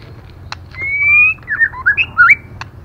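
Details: A female white-rumped shama calling to rouse male birds: a loud, sustained rising whistle, then a quick series of twisting, looping whistled notes, bracketed by sharp clicks.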